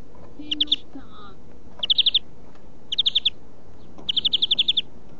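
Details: European greenfinch song for huylandırma training: four short trilled bursts of four to seven quick notes, with a faint low steady tone near the start and background hiss.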